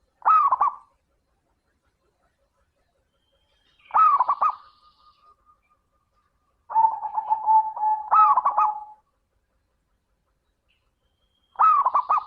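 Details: Local zebra dove song offered as a lure for sluggish singers: four loud stuttering coo phrases spaced about four seconds apart, one overlapping a long, even, buzzy trill, in an otherwise quiet background.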